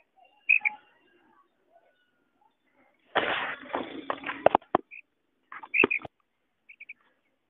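A female quail gives short, high, clear notes, some doubled, spaced a second or more apart, with a burst of rustling noise in the middle.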